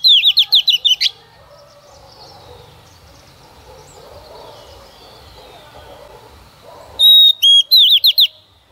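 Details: Singing female Oriental magpie-robin, a lure bird meant to stimulate males: a quick burst of repeated whistled loops, a long quiet gap with soft distant chatter, then a steady whistle and more rapid looping notes.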